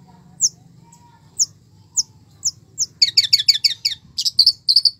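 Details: Energetic long-tailed shrike song rich in fill-ins. Spaced thin high chips lead into a fast, dense chattering trill of bright, stacked notes.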